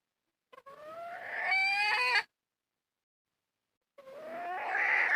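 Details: Red junglefowl hen in the wild calling twice. Each call is a drawn-out rising nasal note, with a pause of nearly two seconds between them. The recording is fairly faint and otherwise quiet.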